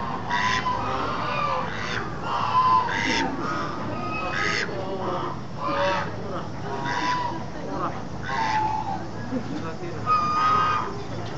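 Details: Domestic ducks giving a steady series of loud nasal quacks, roughly one per second, over continuous background noise.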